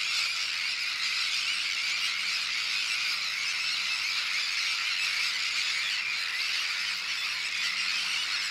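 A breeding colony of Sandwich terns: many harsh, grating, high calls blur into a steady, unbroken din with no single bird standing out.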